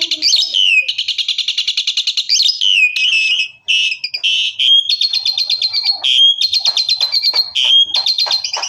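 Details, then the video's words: Loud 'full tembakan' song of an Asian pied starling, a species noted for mimicking other birds: fast, raspy pulsed chattering with several rising-then-falling whistled swoops and short clear whistled notes mixed in. "Suara Jalak Suren Full Tembakan ||Sound of Starling Suren Full Shot"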